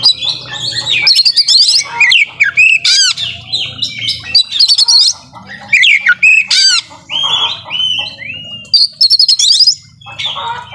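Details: Oriental magpie-robin (kacer) in 'nembak full isian' style, a loud rapid song packed with fills, meant to rouse a reluctant bird: shrill whistles, buzzy trills and sharp rising and falling notes in bursts, over a low background hum.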